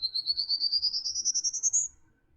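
A Prairie Warbler sings a quick run of about fifteen thin, buzzy notes that climb steadily in pitch over two seconds, then stops.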